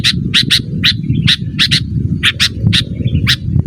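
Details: Sooty-headed bulbul calling, used for luring wild birds and training cage birds; a fast run of sharp, clipped chirps roughly every fifth of a second, over a loud low rumble.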